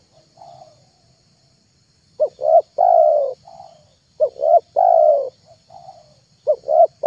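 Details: Low cooing of a spotted dove for luring, starting with a quiet faint coo, then three loud phrases of two short notes and a long sustained coo, evenly spaced.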